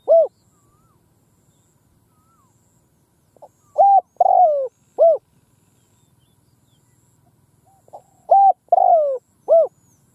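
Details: Decoy spotted dove on the ground cooing loudly across a field to lure wild doves; two phrases about four seconds apart, each a short coo, a long falling coo and a clipped final coo, with faint low background hum.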